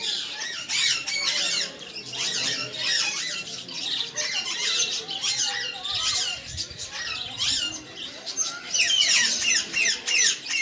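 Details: Many parrots chattering at once, a dense, unbroken stream of high squawks and chirps, with the calls growing louder and more crowded toward the end.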